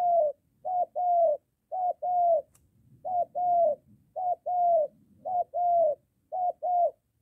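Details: Moulting decoy spotted dove trained near the house, meeting a wild dove, giving rapid paired coos, each a clipped hoot and a longer falling note, repeated regularly, with a single faint click midway.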